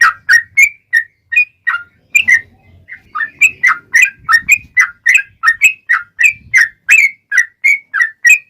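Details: Yellow-vented bulbul song in long rapid style, used to lure other bulbuls to respond: chattering, warbled whistles with rising and dipping notes, a short gap near the start, and faint low hum beneath.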